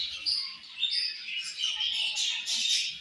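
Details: Budgerigar flock at morning feeding time, steady high twittering with whistled, slightly rising chirps repeated over constant chatter.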